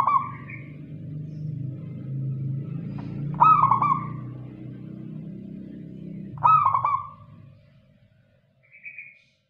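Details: Zebra dove of a local type delivering stuttering coo phrases, one right at the start and two more about three seconds apart, over a low droning background. The background drops away near the end, followed by a faint short note.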